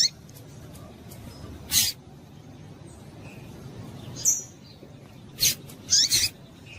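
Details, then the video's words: Female Rusty-collared seedeater calling to stir males into singing: short, sharp, high chirps in scattered bursts, one single note and then a quick double and triple cluster near the end, over a low steady background hiss. "Melhor Piado de Fêmea de Papa capim Para Esquentar Papa capim"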